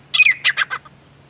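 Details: Female grey francolin giving a quick burst of four or five harsh, squawking notes, high and grating, over a faint steady hum.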